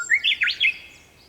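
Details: Japanese bush warbler singing at sunrise on 4 May 2021, shortly before 5 a.m.: a short rising whistle followed by three quick, loud, bright notes, then quiet.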